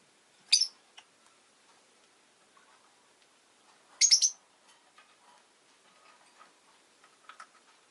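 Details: Two piercing, rasping chirps from a pet rosy-faced lovebird, about three and a half seconds apart, with faint ticking and shuffling in between.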